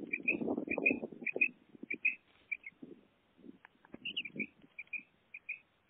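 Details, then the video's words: Female common quail kept as a pet, repeating high whistled paired notes at a steady pace while loud low rustling and handling noise fill the first second and recur later. "Female quail sound // madi batair ki awaz // batair karkaree | My pet common quail singing"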